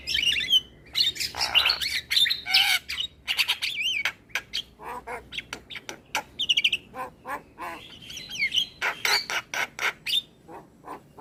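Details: Asian pied starling morning tutor song: long, varied sequence of squawks, clicks, looping whistles and rattling bursts, with brief hoarse notes between phrases.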